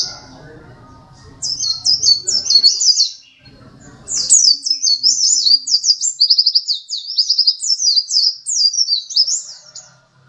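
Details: Dakun white-eye, a second-place contest bird, in full vigorous song: a fast, continuous stream of very high, shrill chattering notes in long run-on phrases, with a brief pause early on and faint low rumbling beneath.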